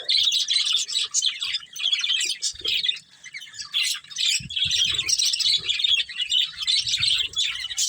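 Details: Budgie breeding pair warbling continuously, a busy stream of high twittering chirps and harsh little squawks with few pauses, plus faint soft knocks underneath.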